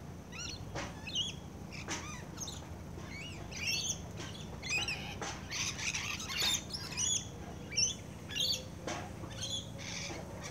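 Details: Rainbow lorikeets feeding close up: a busy scatter of short, harsh, high screeches and chattering chirps, overlapping irregularly at around ninety a minute over a low steady hum.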